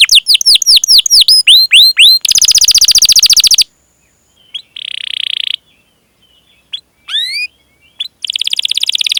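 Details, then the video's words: ['Domestic canary song used as a lure for other canaries; quick falling chirps, a loud buzzy roll, then a pause with brief soft trills and rising whistles before the rolling trill resumes.'] "Masteran Suara Burung Kenari Gacor Panjang cuit cuit Ngerol untuk Pancingan Kenari!"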